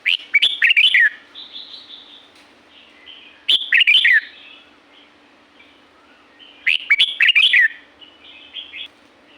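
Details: Red-whiskered bulbul singing wild at Pa La-u in Thailand repeats a loud, choppy whistled phrase about every three seconds. Softer murmuring warbles fill the gaps between phrases.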